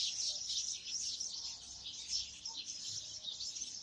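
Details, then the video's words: House sparrows in a group, their high cheeping notes blending into one busy, unbroken chorus. "House sparrows"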